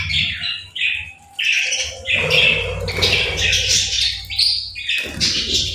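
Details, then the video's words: Playful budgerigars giving lively chirps and warbles. Short high notes tumble over each other in irregular bursts, over a soft low rumble. "Playful Birds 🐦🎶 | Relaxing Chirping Sounds"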